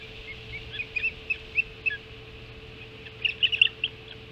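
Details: Early-morning feeding at a Hog Island osprey nest, 05:20, 7 July 2016: thin, piercing whistled chirps spaced out at first, then a faster cluster of excited, high notes near the end.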